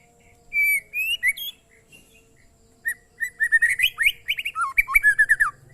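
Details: Short training recording of an Oriental magpie-robin (murai): a few sweet whistled phrases, a pause, then a rapid string of varied chirps and slurred whistles, rising and falling, repeated several times a second.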